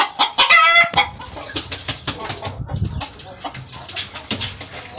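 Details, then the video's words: A barred cream Leghorn rooster gives a brief, loud, strained crow, followed by a run of short clucks and scattered farmyard noises. "GALOS CANTANDO"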